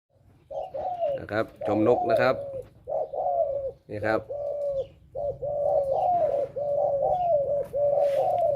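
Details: Male spotted doves kept as decoy birds for trapping give deep, rounded coos, short phrases repeated in a steady series, with a man talking briefly over the calls and a faint low hum throughout.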